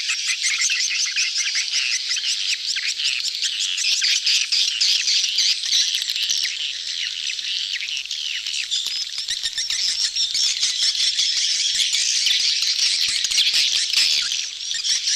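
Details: Large mating crowd of excited swiftlets, "betompok" style lure recording: an unbroken wall of shrill chattering and squeaky chirps, swelling slightly louder toward the end, many birds calling together.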